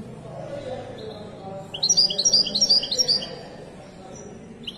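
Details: After a quiet stretch of low background murmur, a Moroccan Widani goldfinch bursts into a quick run of high, sharp, twittering notes lasting under two seconds, followed by a brief extra chirp.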